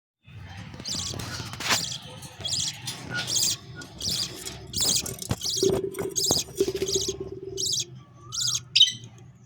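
A budgerigar chick gives rapid, raspy high chirps in steady bursts, begging while being fed.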